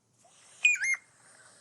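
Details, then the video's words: A Piping Plover, a threatened beach-nesting shorebird, gives its single clear whistled two-part peep-lo call in a played recording, rising then dropping, about a third of a second long, over faint background hiss. "So that is the peeplo call of the piping plover."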